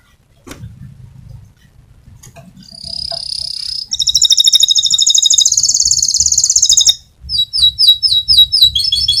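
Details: Rolling song of a fighter canary, recorded as a master for training canaries: a steady whistled tone, then a loud buzzing roll lasting several seconds, ending in sharp repeated chirped notes, with a quiet low hum underneath.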